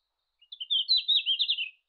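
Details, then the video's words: A red-flanked bluetail in Japan in June sings one short, bright phrase of quick warbled notes, slightly rising then tumbling down, lasting just over a second against a quiet background. "ルリビタキ 鳴き声"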